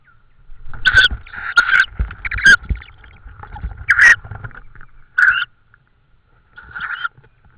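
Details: Tawny owl in Estonia, 16 May 2013, evening, amid prey deliveries: a cluster of short raspy screeches, several in quick succession then spaced out, mixed with rustling and knocking sounds and a steady faint background tone.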